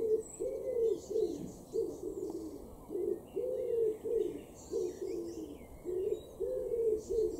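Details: A wood pigeon in a garden in Norden, East Frisia, northwest Germany, April 2021, coos in soft, husky low notes strung into a rhythmic, slightly stressed phrase, with faint high chirps of small birds behind.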